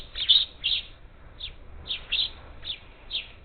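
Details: Harsh, buzzy screeches from a group of up to ten parakeets at a bird feeder near Houston, Texas, recorded 27 July 2021, coming in bursts about every half second with little background noise.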